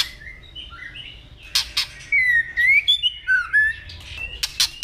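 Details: White-rumped shama, a training recording for daily voice practice, giving scattered whistled phrases: a few soft notes, then clear sliding whistles near the middle and sharp harsh clicks; quiet low background hum throughout.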